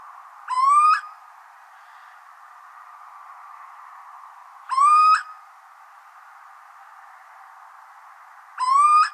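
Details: A Little Owl in Germany sings three drawn-out, rising, slightly nasal whistled hoots, one about every four seconds, over a steady soft hiss.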